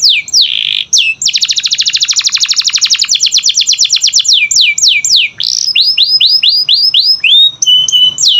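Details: Canary song for coaxing quiet canaries to sing: a slurred note, a long very rapid trill of falling sweeps, then a series of rising, hooked whistles and short steady notes.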